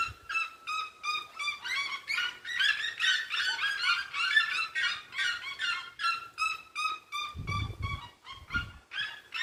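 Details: Red-legged seriemas singing together at dusk on a rural smallholding: a dense chorus of loud, yelping, harmonic notes repeated about two to three per second, overlapping voices swelling mid-phrase, with a few low thumps near the end.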